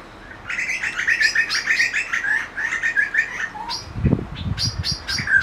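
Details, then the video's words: Grey butcherbird singing in a backyard: a fast run of bright, repeated chirpy notes, a brief lower whistle, then a low thump or rustle before sharper high notes resume. "Grey Butcherbird Song"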